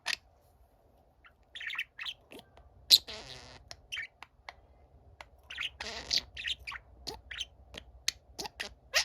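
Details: Pet budgerigar, the younger of two birds, singing for a quiet older companion: sparse chirps and clicks with two harsh buzzy bursts, separated by pauses, over a low steady hum.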